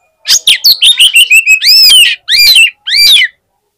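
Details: Fighter Oriental magpie-robin singing at a contest's hanging poles, its voice said to set rival magpie-robins off quickly. A fast string of sharp chips runs into loud, arched whistled slurs in three strong phrases.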